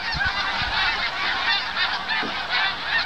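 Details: Snow geese streaming over a horse farm in Farnham, Quebec, one autumn morning while migrating south; an unbroken wall of many overlapping high, nasal honks, with a few low knocks at the start.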